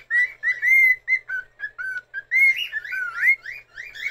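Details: A pet cockatiel in Japan sings with neck stretched out, giving a whistled tune of short level notes followed by swooping up-and-down slurs, about three phrases a second at times, with brief gaps between, indoors with no other sounds.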